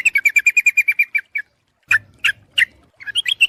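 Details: Sooty-headed bulbul lure call: a rapid even string of bright chirps, then a few spaced, harsher notes and a final burst of quick rising chirps.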